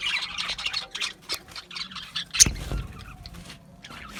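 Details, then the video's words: Budgerigars chirping: a busy chatter of short squawky chirps and warbles, with one sharp louder squawk partway through, then quieter chatter. "Natural Parakeet Singing Birds | Parrots Chirping sounds"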